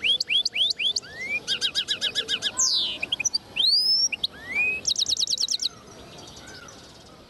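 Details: Lively finch song from a linnet mule recorded in 2010: quick rising whistled notes, rapid dry trills and bright slurred phrases, tumbling one after another with no pause.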